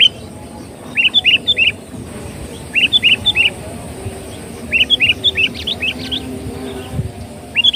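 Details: Sooty-headed bulbul singing, recorded as a bird lure: short phrases of three or four quick, clear chirps, spaced about two seconds apart, with a thin high hiss behind them.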